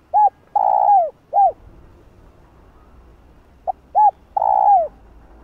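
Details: Spotted dove cooing to excite other doves, two matching phrases: short arched coo, long loud falling coo, short arched coo, with about two seconds of near silence between them.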